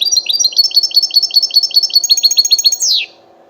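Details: European goldfinch, described as wild, in 'betbeta' song style: a fast, even run of bright high chipping notes, about two to three per second of pulses, ending in a drawn-out descending buzzy slur before silence.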